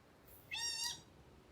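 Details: Ryukyu collared scops owl giving one of its two call types: a single drawn-out, nasal, cat-like mew with rich overtones, holding level and then fading, about half a second long, over quiet background.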